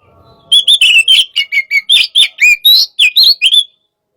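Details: Oriental magpie-robin with aggressive 'hot type' sparring song: after a quiet start, a steady string of about a dozen loud whistled notes, alternating falling and rising slurs, then it stops abruptly.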